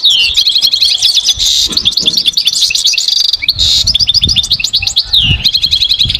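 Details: Goldfinch singing in nature: a long, unbroken stream of bright, high tweets and fast twittered trills, with repeated chip-like notes, sweeping slurs and layered phrases that continue without pause, loud and close throughout.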